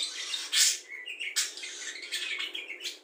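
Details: Budgerigar filled with calls of cucak jenggot, kapas tembak, lovebird ngekek and fighting sparrows; two loud piercing squeaks amid a rapid, rasping chatter of chirps and short whistles.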